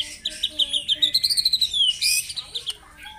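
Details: Morning song of a white-rumped shama meant to rouse rival birds: fast repeated high notes rising and falling in a long phrase, faint low whistles beneath, ending in a harsh burst and soft notes.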